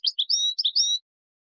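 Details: Brief European goldfinch song phrase, recorded for teaching chicks: four quick, high, slurred tinkling notes in under a second, clean and without background noise.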